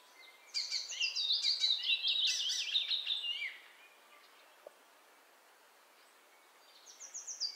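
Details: Icterine warbler, a migrant present in spring and summer, delivering a fast, varied high-pitched phrase of chattering, whistled and buzzy notes for about three seconds, then a pause before another bright burst begins.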